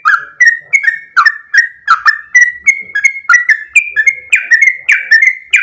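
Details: A sooty-headed bulbul sings loud, full, long rolling song: a steady chain of clear whistled notes, each starting with a sharp flick and sliding into a level tone, about two per second.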